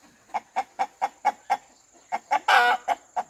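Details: Farmyard rooster clucking: several evenly spaced short clucks, a brief pause, then more clucks broken by one loud, raspy squawk.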